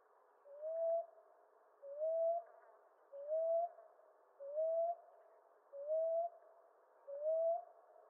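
A common ground dove gives soft, low, rising coos, six in about eight seconds, each a short upslurred note repeated at an even pace.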